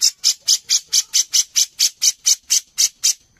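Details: Grey-cheeked bulbul used as a master recording for songbird contests: an unbroken, evenly spaced series of fourteen loud, hissing, rasping notes at about four per second.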